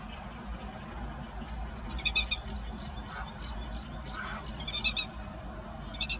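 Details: Grey-headed lapwing parent with chicks in a rice field, 16 May 2017, recorded on a Nikon Coolpix P900: three harsh, rapidly pulsed buzzy calls spaced a few seconds apart over a constant low rumble.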